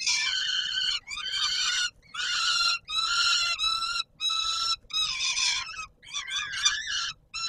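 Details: Peregrine falcon screams at evening feeding, Palace of Culture and Science, Warsaw, 17 July 2022: repeated harsh, harmonic bursts. Some are clipped and stuttering near the end, and they come about once a second.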